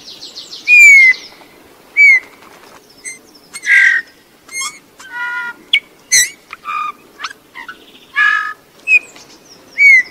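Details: Eurasian bullfinch singing a varied phrase of soft descending piped whistles mixed with creaky, buzzy and crackling notes, with clear whistles recurring every couple of seconds.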